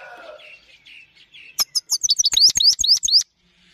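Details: Himalayan goldfinch singing: after faint soft notes, a rapid burst of bright twittering notes, many sweeping sharply upward, about a dozen in under two seconds, then silence.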